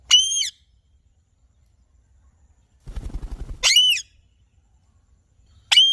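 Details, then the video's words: Alexandrine parakeet with three widely spaced, sharply arched squawks and a brief low rustle between them. "Alexandrine Parrot Chirping Sounds"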